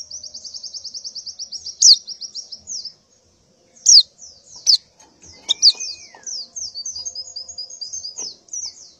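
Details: Breeding female white-eye calling to males and the flock in the morning, opening with a fast even series of high chirps, then louder sharp down-slurred notes and a further quick chattering run.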